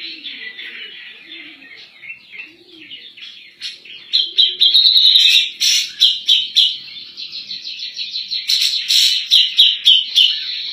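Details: Grey-cheeked bulbul, locally cak jenggot, singing steadily in 'nembak' style as a master recording for other birds: soft warbling chatter that swells into loud, sharp, rapidly repeated notes and a bright trill.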